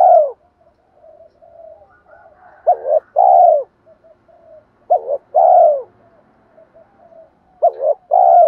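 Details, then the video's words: Spotted dove decoy call meant to make wild doves coo back: three clear phrases, each a sharp double hoot followed by a fuller descending coo, with faint quieter cooing filling the gaps. "cu gay gọi 2 hậu và thúc đấu ba tiếng, giọng hay hạp bổi nhất hiện nay, mở nên bổi nghe phải gáy"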